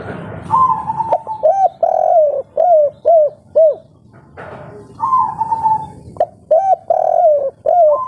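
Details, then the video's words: Spotted dove of local stock calling in the 'kuk 3' style: long level hoot leading into a bouncing run of short arched coos, the pattern given twice with a soft murmur underneath. "Derkuku kuk 3 lokal gacor ngamuk bikin panas || suara empuk jernih"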